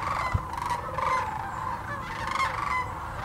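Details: Sandhill cranes by the thousands at Birchwood, Tennessee's Hiwassee refuge: several sharp, rolling bugles ring out over a packed chorus of calling birds, with one brief low thump.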